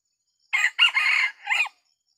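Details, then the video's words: Decoy rooster crowing to lure wild Sumatran junglefowl in a small oil palm plantation: one loud hoarse three-part crow, a short opening note, a longer strained middle and a falling final note, in a quiet background. "jenis pikat kokok selalu disorong oleh ori"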